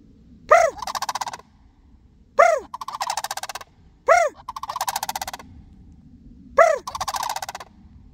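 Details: Sandhill cranes answering a person: four exchanges, each a sharp rising-falling human call followed by a loud rolling, rattling bugle lasting about a second, repeated roughly every two seconds.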